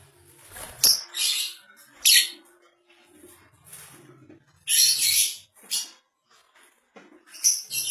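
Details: Red-headed lovebird singing: bursts of shrill, high, squeaky chirps and harsh chatter come in irregular clusters, with quieter scratchy notes between them.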